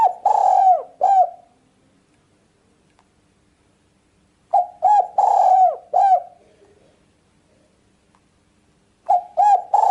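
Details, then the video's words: Repeated cooing phrases of a spotted dove, used for luring birds, come about every four seconds. Each phrase has short, hollow notes around one longer, trembling coo, with near silence between. "Mp3 burung tekukur ampuh"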